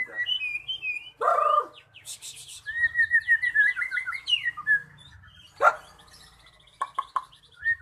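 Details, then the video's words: Magpie-robin song used as a lure recording to get silent captive birds singing: sweet whistled phrases rising and falling between sharp clicking notes, with a harsh burst near the start and scattered quick chips. "Pancingan Burung Murai Macet Jadi Gacor"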